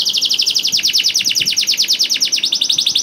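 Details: Canary song meant to coax quiet canaries into singing: a fast, even series of high, downward-sweeping chirps repeated about three times a second throughout, with no other sounds.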